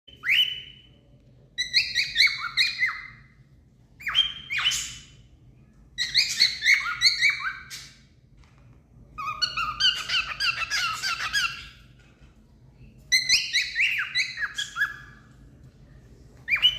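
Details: A cockatiel with its feathers spread in display gives bursts of harsh, warbling whistled calls, each lasting about a second.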